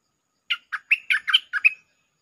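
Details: Bulbul lure song, 'Chao Bank' style with doubled notes. Seven mellow notes come quickly, some paired closely together, and the last note trails off with a slight whistle.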